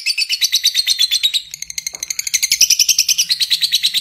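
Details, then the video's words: Rapid lovebird ngekek chatter, shrill and buzzy, with a short dip after one and a half seconds before the harsh, quickly repeated notes resume at full strength, a low hum faintly behind. "Suara Jernih Burung Love Bird Ngetik Ngekek Panjang"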